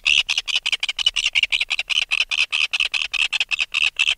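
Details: Alarm calls from an adult red-billed tropicbird taken from its nest, heard close up as a loud, shrill, rasping rattle of rapid harsh pulses, roughly five or six per second, running without pause.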